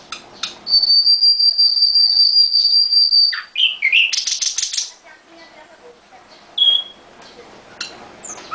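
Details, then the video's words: A caged nightingale holds one long pure high whistle for nearly three seconds, then breaks into twisting slurred notes and a dense buzzy burst, followed by scattered short calls. "Nightingale singing in the cage Hassania fee kafase"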